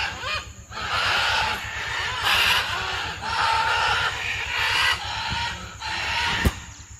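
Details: Wild parrots in their natural habitat give harsh, grating squawks in overlapping bursts about every second, like a noisy flock, over a steady low electrical hum.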